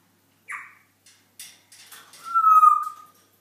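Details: Pet African grey parrot dancing and whistling indoors: a few short chirps and soft clicks, then one loud, steady, level whistle held for almost a second before fading out.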